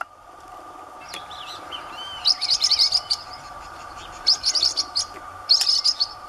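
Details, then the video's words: Blue-winged parrotlet feeding in the wild Caatinga of Brazil, giving three bursts of high, rapid, chattering chirps, each lasting under a second, with fainter whistled notes before them and a steady background hum. "Tuim cantando e comendo na caatinga"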